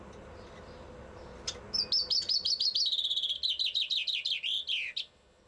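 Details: Common chaffinch in Bucharest delivering one song of about three seconds: a brief note, then a rapid series of high repeated notes that turns into loud descending slurred notes before stopping. Quiet hum of the surroundings underneath.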